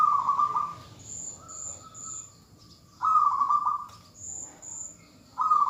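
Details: Zebra dove hen calling the male. Loud bursts of rapid, rolling coos at one pitch alternate with softer, drawn-out notes. Short, high-pitched whistles recur in groups of three in the background.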